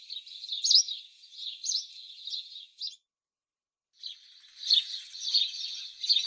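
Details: Continuous sparrow twittering and chirping, broken by a silent gap of about a second, then returning as a fuller, denser chatter of several voices.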